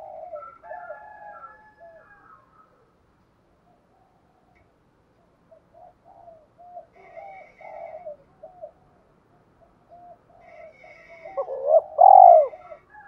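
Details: Spotted dove cooing for provoking wild doves and training decoy birds: scattered soft, low hooting notes with some faint higher chirps, building to a loud, full coo toward the end.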